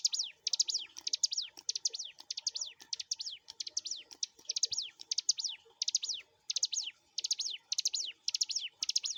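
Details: {'text': 'Ciblek gunung prinia in full song for songbird training: a fast, steady run of phrases, each a few clipped high notes dropping into a sweeping downward whistle, roughly two phrases a second.'}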